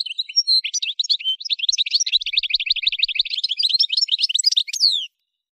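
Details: Algerian goldfinch singing in the Souk Ahras region (Kef El Hamam), Algeria: sustained rapid twittering of clipped, chirpy notes at an even pace, ending in a steep down-sweeping whistle.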